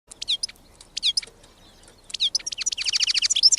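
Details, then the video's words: A wild European goldfinch sings a bright, tinkling jumble of quick twittering notes: two short bursts, then a faster run of rapid descending trills and a buzzy note. "غناء الحسون البري"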